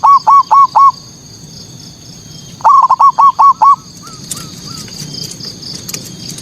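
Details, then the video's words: Zebra dove (perkutut) singing manggung as a lure to agitate local rivals. Four rapid cooing notes, a pause, then six more in a quick run, trailing into a few soft distant coos and scattered clicks. "Suara pancingan PERKUTUT bikin lawan emosi"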